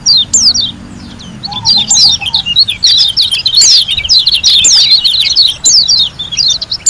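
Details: White-eye from Lombok singing a busy run of high twitters and sharp slurred whistles, with a short low whistled phrase audible in the background.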